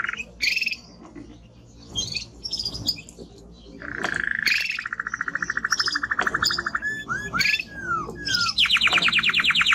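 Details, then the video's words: Male timbrado canary with a strong song: scattered high chirps give way to a long low rolling trill, a few falling curved notes, then a fast bright rattle of rapid repeated notes. "Canary singing Strong Bird - ذكر كناري تغريد نار"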